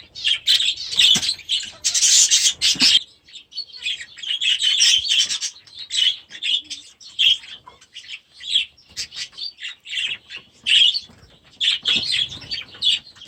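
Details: Last year's baby budgerigars settling into a new aviary; bursts of wing flapping, then repeated high chirps and short warbled phrases from several birds, broken by brief pauses.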